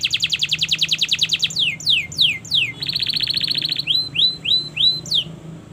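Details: Canary master song for training: a fast rolling trill, a few slow descending sweeps, a buzzy rapid trill, then rising upslurred whistles to close.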